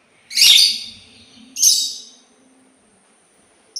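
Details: Sultan tit calling with two loud, harsh, high-pitched rasping bursts roughly a second apart, each fading slowly, with a faint low hum underneath.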